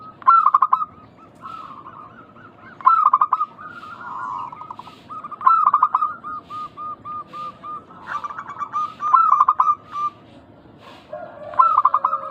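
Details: Local zebra doves in full song, a lure to make other doves reply. Repeated phrases every few seconds: a clipped burst of sharp coos, then a chain of short rolling coo notes, several birds overlapping.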